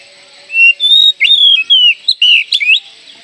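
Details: Oriental magpie-robin singing hard with its tail fanned, used as a lure for young magpie-robins. Starts with a steady flat whistle, then quick slurred and wavering whistles and sharp chipping notes, over faint hiss.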